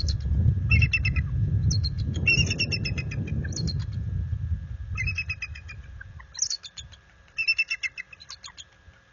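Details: Bald eagle pair at their nest at night in February, warning a visiting eagle off their territory: series of quick high chittering bursts, separated by short gaps, over low rumbling that fades toward the end.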